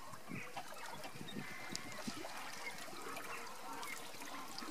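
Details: Andean flamingos marching as a group, giving a busy chorus of low, nasal honking and grunting calls overlapping throughout, with scattered higher squawks and a steady murmur behind.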